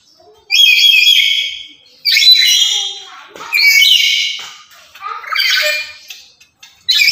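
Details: Loud, talkative lory, active daily and used as a lure and master bird for other lories, delivering five harsh, grating screeches in quick succession, about one every one and a half seconds.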